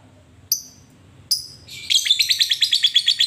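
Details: Lovebird lure calls aimed at a rival: two sharp isolated chips, then a fast chattering series of rapid high notes, about three per second, over faint low hum.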